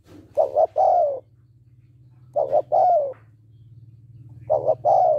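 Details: Cooing female spotted dove trying to excite a male: three phrases of a quick double coo and a drawn-out falling croo, about two seconds apart, over a steady low hum.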